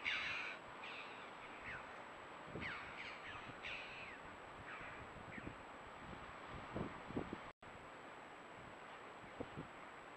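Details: Red-billed choughs, caught by camera trap in limestone canyons, give harsh, ringing crow-like calls in a loose series over the first four seconds, then a few fainter notes, with low rustling and a steady background hiss.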